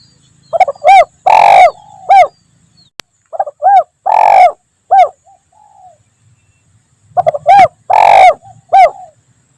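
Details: Spotted dove lure recording of the 'Kuk 1 Mersik' style, used by trappers in the forest to provoke responses: three phrases of short, low hooting coos, each with a longer, louder, swelling central note, separated by silent gaps.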